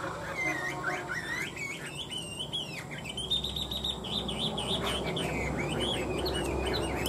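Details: Fighting-style song of tame caged Chinese hwamei, two birds kept three years: continuous fast warbling of twisting whistled notes against strong low rumble and broad noise.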